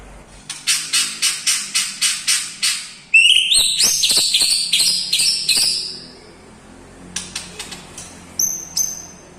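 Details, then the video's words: White-rumped shama whose song includes lovebird, kapas tembak and cucak jenggot imitations. About eight clipped, evenly spaced high notes lead to a dense chattering burst, then quiet with a few scattered chirps. "MURAI BATU MEWAH ISIAN FULL LOVE BIRD,KAPAS TEMBAK,CUCAK JENGGOT"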